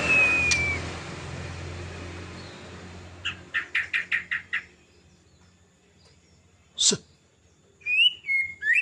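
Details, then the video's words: Ngelowo-style song of a white-rumped shama: a falling whistle, a brisk series of seven evenly spaced sharp notes, one loud click, then more twisting whistled phrases, with low humming background early on. "Burung murai bunyi ngelowo"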